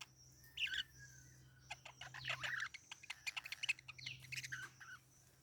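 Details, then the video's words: Parakeet chirping in short bright bursts with a few harsher squawky notes. The bursts are scattered irregularly, clustered more densely in the middle, over a steady low hum in the background. "Parakeet Chirping Sound"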